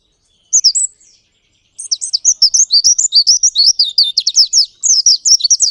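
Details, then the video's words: Oriental white-eye (Pleci Ngalas) in long-duration rolling song: a single high slurred phrase, a brief pause, then a rapid, dense stream of bouncing high twitters lasting four seconds. "Pleci Ngalas Gacor Ngerol Durasi Panjang"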